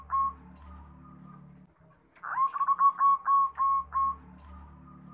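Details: Zebra dove of local stock in full voice, a master recording for prompting other birds to reply: a soft trailing note, a brief pause, then a burred lead-in and a steady run of six mellow cooing notes.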